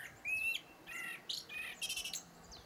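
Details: Blackbird song: a clear fluted whistle, a pause, then lower warbled notes and a burst of high, rapid, scratchy twittering near the end.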